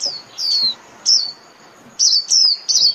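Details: High, sharply descending chirps from a white-eye calling its flock: a few spaced notes, a brief lull, then a quicker cluster of bright falling notes.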